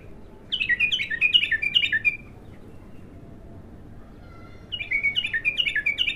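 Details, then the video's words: First song of a raw bulbul: a rapid stream of about eight bright, down-slurred chirps repeated quickly, a quiet pause of two seconds, then another similar chirping run, with low background rumble. "تغريد الابتر خام اول فتحـه له"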